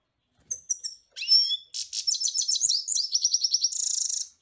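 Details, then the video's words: European goldfinch in song: several clipped high chirps, a nasal rising note, then a fast tinkling chatter of repeated notes closing with a dry buzzing trill. "جميل جدا carduelis الغناء"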